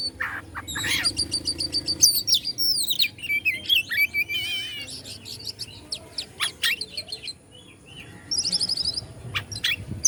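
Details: White-rumped shama, local name kacer, singing to provoke other shamas into responding. A varied, rich song of whistles, rapid buzzy trills and sharp chips, about 214 notes a minute in an irregular rhythm, over steady background noise.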